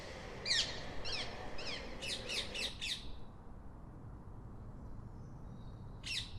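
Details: Rose-ringed parakeet giving a series of harsh, chevron-shaped screeches, quickening into a tight run of four, then quiet before one last squawk; low rumbling background.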